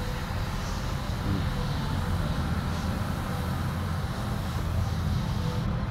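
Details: Steady low engine and traffic rumble, as from passing vehicles or an aircraft, fills the recording with no animal voice audible.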